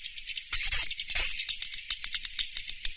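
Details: Swiftlet calls of the Surya Mentari sound style from 2019: a dense, high-pitched twittering chatter with brief rattling clicks, louder bursts around the first half-second and again past one second.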